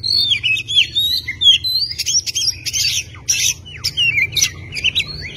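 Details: Oriental magpie-robin singing for song training: rapid, varied phrases of rising and falling whistles with scratchy clicks and chatters, continuous over a low hum.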